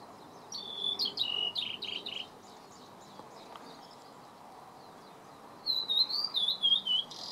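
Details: Blue-and-white flycatcher song recorded 30 May 2014: a rapid phrase of clear, high whistled notes, a pause of a few seconds, then a looping, wavering whistled phrase sliding up and down, heard over constant low hiss.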